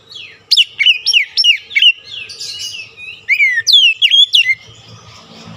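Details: Oriental magpie-robin lure song for reviving singing in stressed birds: a rapid series of sharp, rising-and-falling whistles about three per second, a short pause, then more slurred notes fading into low murmur.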